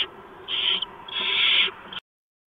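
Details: Barn owl at the nest receiving a mouse, 4:26 AM, 6 March 2015; two rough, hissy screeches, a short one then a longer one, before the sound cuts off abruptly.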